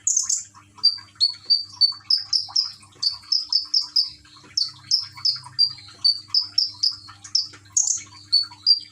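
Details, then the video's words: Konin, the common iora, caged in Gresik, East Java, phone-recorded with water trickling to stimulate song; a steady series of short, bright, slightly descending whistled notes, about two per second, over a faint low hum. "Burung konin rajin bunyi dengan terapi gemercik air"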